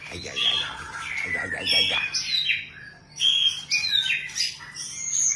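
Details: White-rumped shama singing a varied, rich run of whistled and chattering phrases that slide between mid and high pitches, with a brief low murmuring sound early on and a steady low hum underneath.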